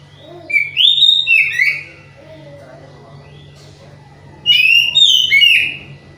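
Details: Captive oriental magpie-robin in full song but low in breeding condition, its repertoire still monotonous: two bursts of loud whistled, slurred phrases with fast sweeps, separated by a quiet gap with low hum.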